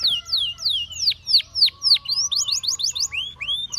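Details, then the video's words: Canary singing a relaxing melody meant to tempt other canaries to sing: loud falling whistled notes repeated about three per second, then a quick run of short rising notes and slurred downward sweeps. "Your Canary Calls And Tempts All The Canaries to Sing"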